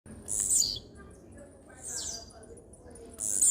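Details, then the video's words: Blue-black grassquit singing steadily: three short, high buzzy phrases that sweep downward, roughly one every one and a half seconds, over a quiet, low background hum. "TIZIU CANTANDO FIRME"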